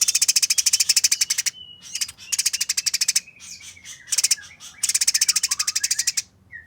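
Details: Fighting Eurasian tree sparrow giving a coarse, speedy chatter in four long runs of closely packed rasping pulses, with brief quiet gaps holding faint thin whistles and a short rising note near the end.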